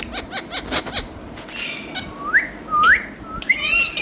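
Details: Parrot in India giving rapid clicks, then two loud upslurred whistles, a short rising note and a harsh, wavering squawk to close.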